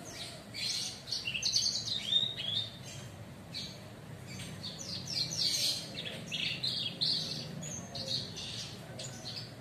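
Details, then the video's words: Captive Horsfield's bush lark, under a month of care, now starting to sing fully on Friday 24 September: a fast, unbroken run of bright chirps, trills and short whistled notes, varied in pitch, over a faint low hum. "PARVA SUPER HULK SUDAH NJEPLAK"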